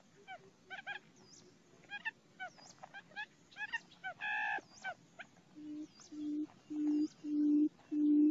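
A quail gives a series of low, hollow hoots, five in a row about every 0.7 seconds and growing louder, after a scatter of short, high chirping notes.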